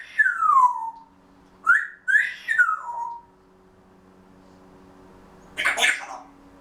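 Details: Pet Grey Parrot chattering quietly ahead of a daytime nap: a long downward-sliding whistle, then three quick upswept whistles with a falling tail, silence, and a short raspy burst toward the end.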